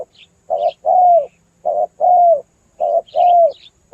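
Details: Spotted dove call used to lure birds: steady rhythm of a brief coo then a longer descending coo, repeated about once a second, with faint chirping of other birds.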